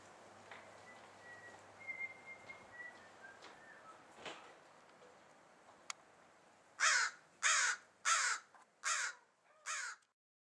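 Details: Crow calling: after a stretch of faint thin whistles over quiet background hiss, five loud, hoarse, rasping calls arrive about half a second apart near the end.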